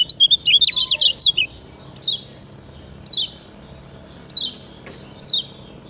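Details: Lemon-bellied white-eye singing to train other birds: a quick burst of bright twittering notes, then single sharp descending chirps spaced about a second apart.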